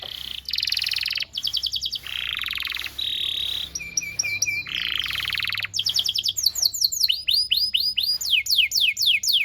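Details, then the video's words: Canary song used as a tutor recording for training young canaries: fast buzzy trills and rapid repeated chirps, then a run of downslurred whistled notes repeated about four per second. "PANCINGAN KENARI GACOR DURASI DURASI PANJANG UNTUK MASTERAN KENARI PAUD BELAJAR BUNYI DAN GACOR"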